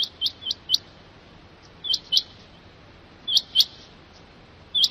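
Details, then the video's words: A Rain Quail gives sharp, high, metallic notes in quick bursts of two or three, repeated every second or so over a faint hiss. "Rain Quail voice"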